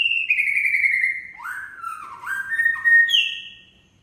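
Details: White-rumped shama of the Aceh type singing in gebrak style: a long, loud, slightly falling whistle, then rising slurred whistles and a higher bright phrase at the end, clear against a quiet background.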